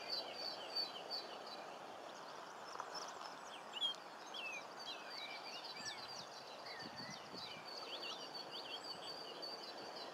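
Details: Superb starlings, also called spreo starlings, captive at Paradise Park, filmed in 2014: several birds give high, rapid whistled chirps and slurred notes overlapping steadily, with soft low background hum and a few thuds.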